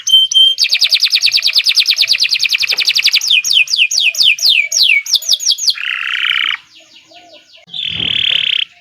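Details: A Kenari Nusantara canary sings a long gacor song: a rapid high trill for several seconds, then slurred swept notes and a harsh buzzy roll, a short pause, and a final buzzy phrase.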